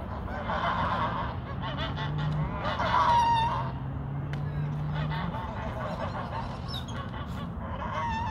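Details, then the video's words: Geese fighting, giving repeated harsh, nasal honks that overlap and rise and fall against a steady low rumble of background noise. "the crazy #goose#fight!"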